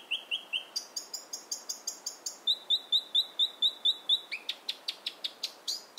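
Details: A robin, recorded close up at Mirror Lakes, sings a high, clear song of quick repeated notes, running each note type in a short series before switching to the next.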